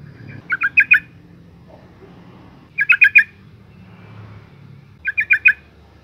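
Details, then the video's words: Female yellow-vented bulbul calling to make males sing: three bursts of four quick, dry chattering notes, about two seconds apart, with faint low background noise. "suara panggilan burung trucuk betina gacor NGALAS pancingan TOP trucukan jantan stres - macet bunyi"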